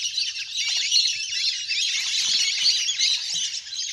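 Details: Large flock of wild ducks playing in the water, recorded from nature as a hunting lure. Dense, high squeaky calls overlap rapidly, with a few lower squawks and faint splashing mixed in.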